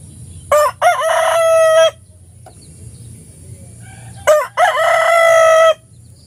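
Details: A rooster crows twice in the morning, each crow a brief rising pair of notes followed by a long, strained, steady drawn-out note, separated by a quiet pause with faint background hum.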